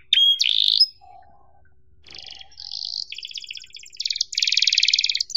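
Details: Canary tutor song for young birds learning to sing, an emotional chirping style: a bright high trill, then a pause with a faint low tone, followed by buzzy rolling trills and rapid repeated pulsed notes that grow louder toward the end.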